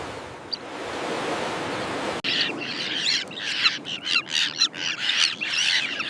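Common terns in a colony give harsh, grating high calls that overlap in a busy chorus, after a short stretch of steady wind or surf noise.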